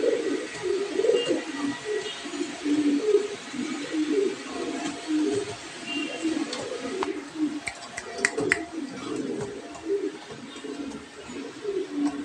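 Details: Imported black Show King pigeon pair, male and female, keeps up a long run of low, burbling coos with overlapping rolls. Scattered clicks and knocks sound in the room later on.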